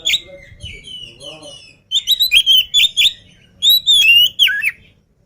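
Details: Lively oriental magpie-robin before feeding: soft warbled notes at first, then loud sweet whistles with sharp downward slurs and buzzy high overtones in rapid clusters.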